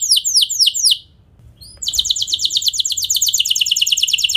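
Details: Canary song used to get other canaries singing: a few high descending whistles, a brief near-silent gap with faint chips, then a long, fast, even high trill.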